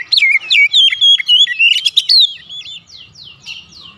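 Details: White-rumped shama singing a lure song meant to make other birds respond: a quick run of clear, looping whistles and rising slurs, then softer descending chip-like notes repeated toward the end.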